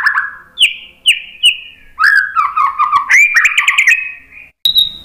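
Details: White-rumped shama singing lure song to make other birds reply: clear falling whistles in short separate bursts, then a rich tumbling warble of mixed high and low notes, closing with a thin high whistle.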